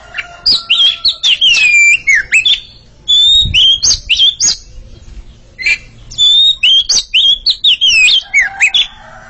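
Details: Oriental magpie-robin pair (kacer) singing against each other in a duel: loud, varied whistled phrases with slurred rising and falling notes and sharp chips, in two bursts separated by a brief pause.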